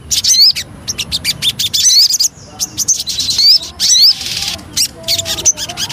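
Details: Lure song from a Javan cochoa, made of separate bursts of bright, sharply upslurred whistles and short twitters with brief silences between them.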